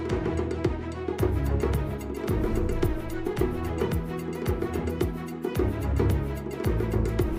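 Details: Drum-led music with a steady percussive beat and low bass; no animal voice is heard.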